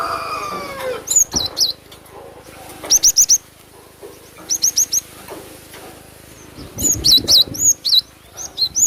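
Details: Lure song of the cinereous tit, known locally as glatik batu, played to draw birds in: clipped high whistles in tight bursts of four or five, some with wavering down-slurs, pauses between groups.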